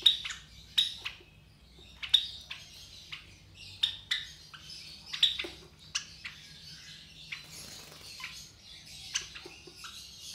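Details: Young Java sparrows, three chicks near 23 days old bred from white Java sparrows in captivity, calling with clipped high tweets in irregular bursts, a brief rustle in the middle, soft hum underneath.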